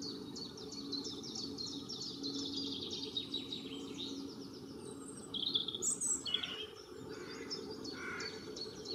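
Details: A pair of long-tailed tits building their nest with feathers give thin, very high, rapidly repeated notes in quick trilled bursts. These tail off into scattered calls over a steady low hum.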